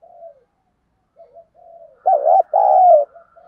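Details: Lure spotted dove calling in thổ voice style: soft, quiet preliminary coos, then a strong two-part phrase, a short quavering note followed by a longer, slowly falling coo.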